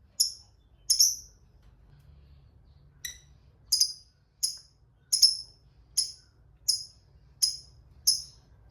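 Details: Lovebird fighter chirping on a lure recording meant to set quiet lovebirds calling; sharp, high, clipped chirps repeat roughly every 0.7 seconds after an uneven start.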